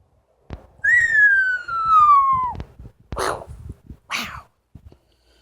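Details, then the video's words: ['Captive Amazon parrot at home producing one long, pure whistle that starts high and slides slowly downward, followed by two short harsh, raspy bursts.'] "The many sounds of Lily, an amazon parrot"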